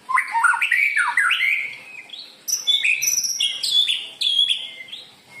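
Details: White-rumped shama song used to lure other birds: loud, dense sequence of varied whistles, slurs and high chattering notes in three energetic bursts.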